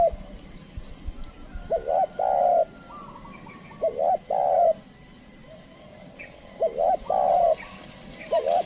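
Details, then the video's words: Spotted dove used as a lure to call wild birds, though the wild doves do not come close; low cooing phrases of two to three notes around the middle range, repeated in bursts every couple of seconds, with faint rural background. "pikat tekukur ajaran memanggil burung liar"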